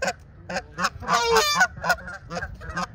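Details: Canada geese during a brawl between two ganders, March 17, 2023: a rapid series of harsh, nasal honks, uneven in rhythm, with one louder, longer strained honk in the middle.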